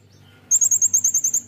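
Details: Tutor recording of a brown-throated sunbird for cage birds in the 'nembak' style: after a brief quiet start, a quick series of about nine piercing, high, clipped notes.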